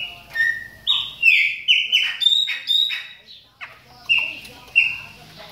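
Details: Chopi blackbird kept in a cage, warming up while moulting: a run of bright whistled notes, flat and downslurred, clustered rapidly in the middle, then two spaced clear whistles.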